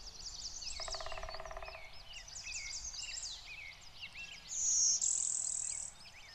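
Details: Lawrence's Warbler, the rarest Blue-winged × Golden-winged Warbler hybrid, in northwest Connecticut in June, gives a loud, high, drawn-out buzzy note near the end, over a busy chorus of chirping songbirds and a lower nasal rattle.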